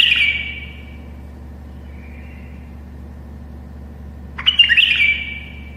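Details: Tame bulbul singing to help other bulbuls learn: the tail of one phrase, a faint soft note, then a loud jumbled warbling phrase ending in a held whistle, over background hum.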